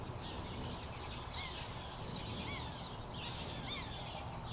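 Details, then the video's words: Two sharp-shinned hawks near a balcony at a road intersection, one giving three sharp, harsh, harmonic-rich calls about once a second over a steady low rumble of wind and distant car traffic. "Sharp Shinned Hawks Calling"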